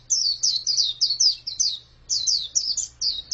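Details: Female white-eye giving quick, high, downward-slurred chirps in a tight burst. After a short silence, another rapid burst of similar notes follows. A low hum is faintly audible.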